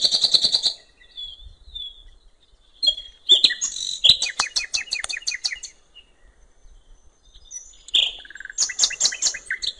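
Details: Common nightingale singing beside a river in natural surroundings: a high clear note, a pause, then rapid rattling trills and clicks, and after another gap a buzzy phrase with a lower whistle.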